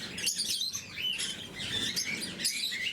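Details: Blue-mutation lovebirds chirping while fed in the morning, quick thin high notes and short upward-sweeping squeaks tumbling over one another.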